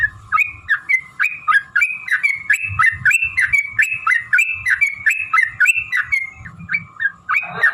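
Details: Yellow-vented bulbul giving a long, rapid fighting song used to provoke other bulbuls into singing: a fast run of bubbly, stepped whistled notes, about three per second, with a harsh burst at the end and faint low thumps beneath.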